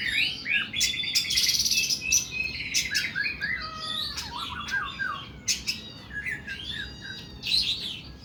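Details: Oriental magpie-robin singing in a long, harsh 'nembak' style: fast, varied, scratchy phrases with high whistles, rasping buzzes and a descending slurred note, delivered in near-continuous bursts.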